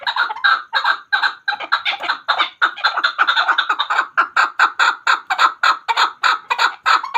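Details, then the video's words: Chukar partridge known locally as chakor, a hunter's bird, delivering a long, steady series of loud, harsh chuck notes, evenly repeated and rising into a fast rhythmic chatter. "Chakor Ki Awaz. Hunter Chakor sound."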